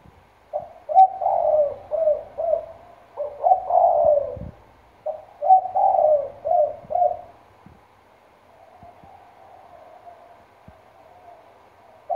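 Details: Spotted dove, a lure bird from Trà Vinh with a deep, loud "thổ sấm" voice, giving low coos in phrases of several notes, two phrases in the first seven seconds, then quieter background murmur.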